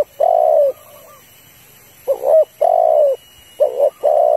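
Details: Female spotted dove calling to a male: long, throaty, slightly falling coos alternating with quick double coos, about three phrases in a few seconds.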